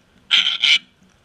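A sulphur-crested cockatoo gives two harsh, raspy screeches back to back, each about a quarter-second long. Silence on either side.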